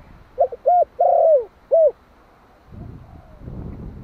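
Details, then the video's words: Calling coo of a one-year-old Malai-strain spotted dove kept as a decoy for wild doves. One phrase: a short note, a hollow coo, a long slurred descending coo, then a clipped closing coo, followed by faint background rumble. "Tiếng chim cu gáy Malai kích bổi - Thanh niên Malai 1 năm tuổi gáy gọi nghe giọng quá phê."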